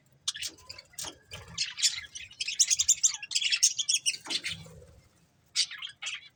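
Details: Budgerigars kept as a breeding pair give dense, rapid high warbling chatter, building through the middle, then a pause and a final short burst of chirps.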